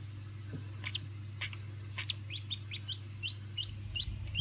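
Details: High, short peeps from day-old Old Polish ducklings of 2016, rising and falling sharply and repeated in an irregular stream from several chicks, over a steady low hum.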